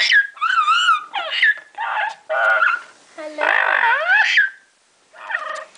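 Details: Female double yellow-headed amazon parrot, kept indoors, excitedly making cute noises while playing in her favourite hiding place, an open cabinet: a series of warbling, whining and squeaky calls with rising and falling pitch, in a small room.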